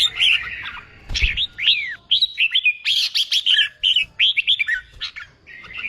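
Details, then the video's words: Newly caught red-whiskered bulbul singing for contest training: a lively, nearly continuous string of chirpy whistles, some sweeping down and others rising, with a brief thud early on. "Kích bổi nghe là hót, luyện chim hót đấu, luyện chào mào bổi sổ giọng"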